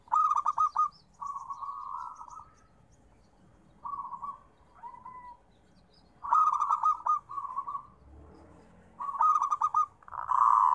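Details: Zebra dove (local perkutut) singing: repeated phrases, each a rapid stuttering burst of notes running into a smooth mid-pitched cooing trill, about five phrases separated by short pauses, with a quiet background.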